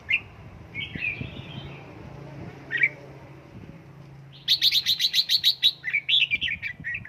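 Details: Home-trained red-whiskered bulbul in 'căng lửa' singing: scattered warbled notes, then a fast run of about ten crisp repeated chirps followed by descending chattering notes, with a constant low hum beneath.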